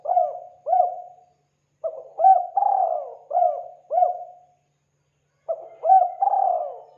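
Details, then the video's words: A spotted dove coos in soft, low, hollow phrases of two to four notes with short pauses between, used as a lure call to attract wild doves. "SUARA PANGGILAN PIKAT BURUNG TEKUKUR"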